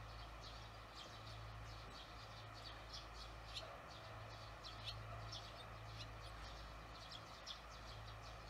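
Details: Barn swallows observed after work in the evening of 18 June 2020, giving thin, high chirps in quick series separated by short pauses, with a constant low hum underneath.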